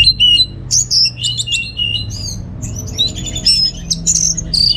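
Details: Orange-headed thrush kept at home in North Bali, pouring out a dense, fast song of high whistled notes, chips and sweeping slurs with almost no pauses.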